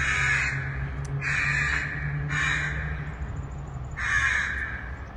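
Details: Four drawn-out hoarse caws from a distant crow, partly masked by a strong low droning hum running under the whole recording.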